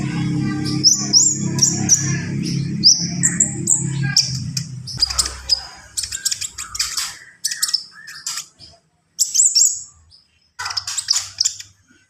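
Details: Javan pied starling in vigorous full isian song: piercing high whistles and slurred notes over a deep hum for several seconds, then bursts of harsh chattering and squeaky phrases split by short silences.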